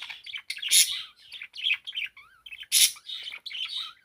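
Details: Pet parakeet singing away indoors: a busy stream of warbled chirps and chatter, broken by two loud harsh bursts near one and three seconds.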